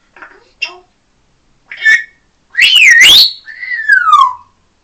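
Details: Pet African grey parrot on a playstand, calling for attention indoors. Short chattered syllables lead into loud, swooping whistles that rise and fall, ending in a long descending whistle.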